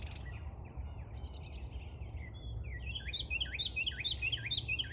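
A small songbird sings a fast, high, tumbling song of bright whistled and buzzy notes, repeated in quick succession over a low outdoor rumble.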